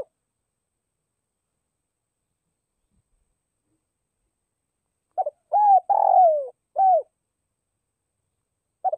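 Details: Decoy spotted dove giving its gathering call to draw wild doves. After a long silence comes a single phrase: a quick stutter, a hollow coo, a falling grainy croon and a brief final coo, then a faint new start.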